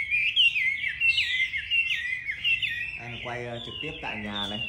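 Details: A home-kept Chinese hwamei from Hanoi, Vietnam, sings rapid looping whistled phrases for about three seconds, then a man talks over the quieter continuing song.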